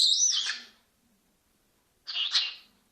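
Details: A talking Senegal parrot gives two short, raspy, high-pitched bursts of mimicked speech, such as 'hands up', 'GG', 'kiss' and 'hello'. The first opens with a whistled swoop, and the second comes about two seconds later.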